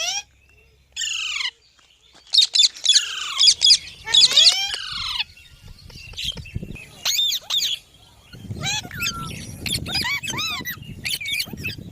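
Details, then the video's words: Green parrot with a varied sequence: short downward sweeps, buzzy chattering notes and arching whistled calls. Softer low rumbling sits beneath the later part. "Green Parrot Talking Natural Sounds|Tote Ki Awaaz"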